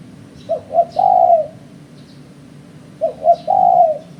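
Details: Spotted dove calling, a sound used to lure birds for trapping. It gives two repeated phrases, each of two brief coos and a prolonged mellow coo, with faint high chirps from another small bird in between.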